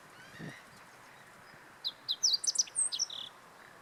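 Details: Meadow bunting song recorded at Teganuma in April 2017. After a quiet opening with a faint low thump, a single brisk phrase of about a dozen sharp, high chirping notes runs for roughly a second and a half.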